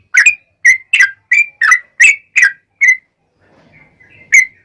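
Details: Yellow-vented bulbul song in the long rapid style, used as a lure to get other bulbuls calling back: eight quick slurred whistles, a short pause with faint rising notes, then one more bright note.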